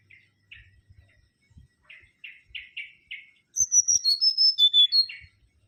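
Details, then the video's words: Mangrove whistler in full song: a series of short buzzy chirps speeding up, then a loud phrase of ringing high whistles that step down and end in a chirp. "Kancilan Bakau Gacor"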